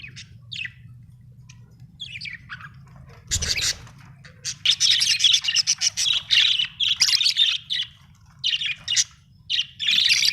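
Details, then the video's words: A happy budgerigar keeps up scratchy, high-pitched chirps and warbles in dense clusters, with a brief low thump partway through and a faint hum in the background. "happy budgie chirping sound"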